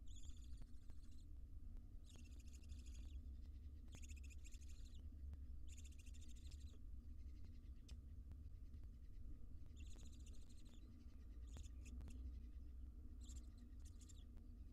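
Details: Wild barn owl family in a monitored nest box: harsh breathy hissing bursts about one second long, repeated roughly every two seconds, over a constant low hum with faint ticking clicks.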